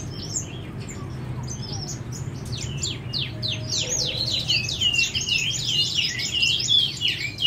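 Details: Chestnut-flanked white-eye singing a fast, dense run of high, thin chirps and twittering notes that pile up into a continuous warble in the second half, with a low background hum underneath.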